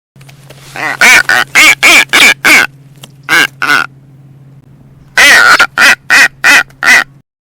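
Blue-footed Booby giving harsh, honking calls in two bursts of about six, with a short pause between them, over a low steady hum.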